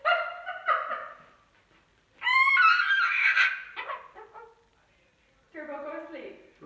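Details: Pet cockatoo in the dark after bedtime, its cage covered with a sheet. Nasal, speech-like syllables, then a loud, sustained, harsh, warbling squawk, and softer talk-like murmurs toward the end.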